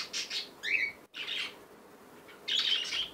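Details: Baby cockatiel at play: harsh, raspy squawks in short bursts, one carrying a brief thin chirp, then a pause and a longer scratchy burst near the end.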